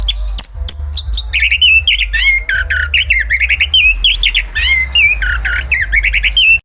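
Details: Chestnut-capped thrush (Zoothera interpres) of Southeast Asian forests, singing rich warbled phrases of looping mid-high whistles repeated back to back after a few sharp opening notes, over a constant low hum.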